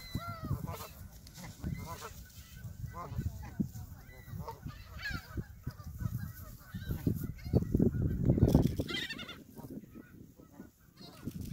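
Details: Canada geese at Hawreluk Park Lake, honking throughout in scattered nasal calls, some overlapping, over steady low rumble with possible voices in the background.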